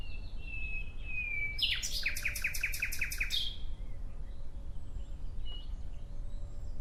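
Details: Nightingale singing: a thin rising whistle and a sweeping note, then a fast, evenly spaced run of loud, rich repeated notes for about two seconds, followed by quiet pauses and faint distant calls.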